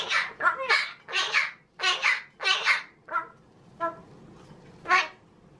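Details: Talking pet magpie, male, mimicking human words: bursts of babbling voice-like syllables, several close together at first and then spaced out, fading to a few isolated utterances.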